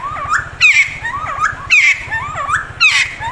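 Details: A friarbird (cucak timor / timtim), a rare bird, gives loud, harsh, throaty phrases with rising and falling notes, repeated roughly once a second, over a low steady hum.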